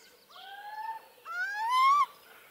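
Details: Little owl at Hortobágy National Park, Hungary, 2015: two drawn-out, slightly rising, nasal whistled hoots, the second louder and longer, ending abruptly, against a quiet background.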